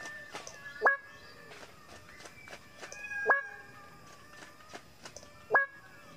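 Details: Greater bird-of-paradise giving loud, abrupt calls, each a steep upward-sweeping harmonic note, repeated about every two and a half seconds, with quieter clicking and calling in between.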